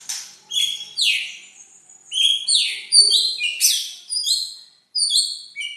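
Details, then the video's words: White-rumped shama song played to provoke silent birds into singing: bright whistled phrases, many sweeping downward between high and mid pitch, given in quick bursts with short gaps between them. "suara untuk memancing murai yg macet bunyi"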